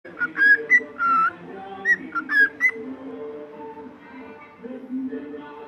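A cockatiel whistles a string of clear, slurred notes, some rising and some falling, over soft background tones.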